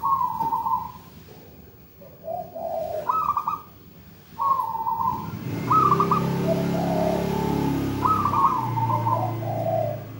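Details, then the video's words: Local wild-type zebra dove in active song: soft low coos in short rising and falling phrases, some with a quick fluttering break, against a steady rumbling background noise in the second half. "PERKUTUT GACOR MERDU MEWAH"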